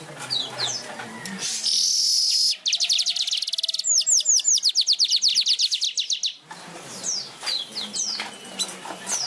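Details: Weaver in full song with wing-flapping: a buzzy high burst, then a long rapid train of sharp, high ticking notes, roughly twenty in quick succession, fading into softer chirps amid background noise.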